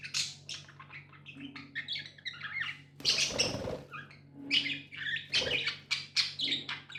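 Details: Budgerigars kept as pets chatter in rapid broken notes, short buzzy chirps and bright squeaks, one burst of rough scratchy noise near the middle, steady mains-like hum beneath.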